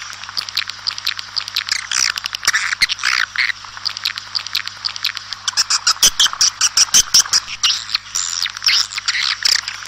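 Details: Outdoors, swiftlets call to gather the flock in a continuous chatter of high, buzzy twittering and squeaky chirps. Rapid clicking bursts grow denser in the second half, and a low steady hum sits beneath.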